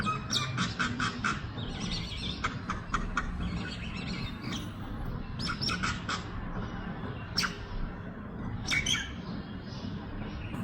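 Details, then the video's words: Common myna on a rooftop, eating unripe milky corn cobs, gives a varied run of sharp chirps, harsh squawks and short ringing notes in irregular bursts, over a steady low rumble of background noise. "Beautiful Chirping Sounds of Myna Bird"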